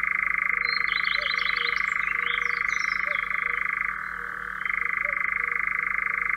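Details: European Nightjar from Central Russia giving a continuous, fast mechanical churr that steps down in pitch near the four-second mark and then returns higher. Faint twittering of other birds sits above it.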